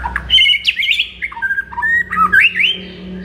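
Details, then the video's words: White-rumped shama in morning song meant to excite a kept bird; dense sequence of whistled slurs and squawky notes at varied pitches, with a faint low hum underneath. "MASTERAN MURAI BATU DI PAGI HARI AMPUH UNTUK NAIKKAN EMOSI MURAI BATU ANDA"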